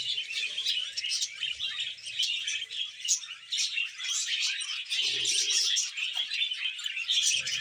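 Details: Pet budgerigars, a male courting a young female; a continuous busy warble of chirps, clicks and scratchy notes, with a faint low murmur in the background.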